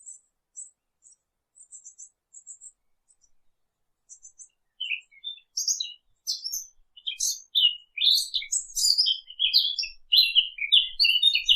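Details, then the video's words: Birds chirping: faint very high ticking notes at first, then a busy run of sharp, high chirps and twitters that grows louder and denser, in an otherwise quiet setting. "Half an hour of birds chirping"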